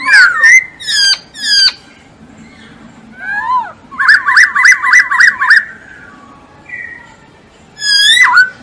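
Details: Masked laughingthrush in vigorous tutor song: sharp descending whistles, a swooping downslur, then a rapid rattling series of about ten quick chirps, a pause, and a final loud hooked whistle, indoors.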